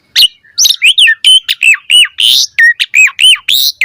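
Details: Asian pied starling singing energetically to draw a quick answer: tumbling, slurred whistles and harsh noisy notes delivered rapidly, with repeated arched whistles dominating the middle of the phrase.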